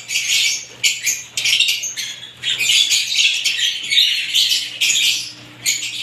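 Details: A mixed group of lovebird varieties sings in bursts of shrill, rapid squeaky twittering, short busy phrases breaking off and restarting every half second or so with a low steady hum underneath.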